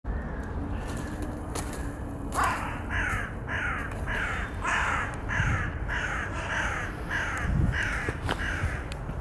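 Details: Male crow expelling an intruding male from its territory after the intruder came to steal its peanuts: a series of about eleven harsh, evenly spaced caws, roughly one every half second to second, over a steady low rumble of background noise.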